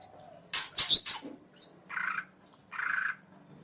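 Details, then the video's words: Greater green leafbird: three quick harsh notes with whistled slurs, followed by two lower, nasal, buzzy calls spaced under a second apart over faint background hum. "Suara Burung Cucak Ijo"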